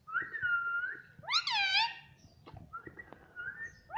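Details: Talking pet parrot mimicking "mummy": a steady whistled tone, then a rich, harmonic rising-and-falling word-like call, another long whistle and the start of a further call.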